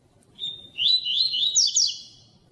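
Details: Double-collared seedeater, a 'tui tui' style coleiro, used to warm up and stimulate caged birds to sing: a short, high, twittering phrase of rapid sliding notes that starts with a steady whistle and ends in quick chirps.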